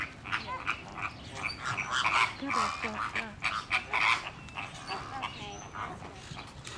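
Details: Loud flock of Caribbean and Greater Flamingos with fights breaking out: a tangled chorus of nasal, honking and yelping calls, many birds calling at once in short uneven bursts.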